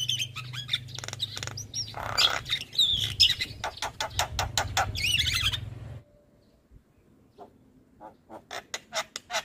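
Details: Javan myna lure for reluctant singers, white-eyed form: dense harsh chatter and clicking with whistles over a low hum, then a near-silent stretch and sparse sharp clicks.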